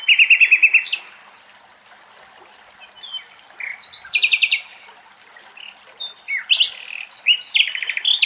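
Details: Common linnets, a male and a female, drinking running water from a spring at a forest edge in Greece; nightingale song is also in the recording. Quick buzzy trills and varied high chirps come in bursts, with about two-second pauses between phrases.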